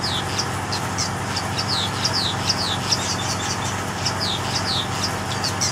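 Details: Male weaver bird in South Africa hanging beneath the intricate nest he built, flapping his wings to attract a mate; quick, thin, high chirps with downslurred notes, several per second, over a steady low engine-like hum.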